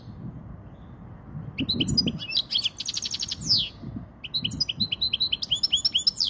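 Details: European goldfinch of the Spanish kind in song for tutoring youngsters and exciting hens: after a quiet start, a tumbling twittered phrase with rapid trills and a descending buzz, then a second bright chirping run; soft low noises behind.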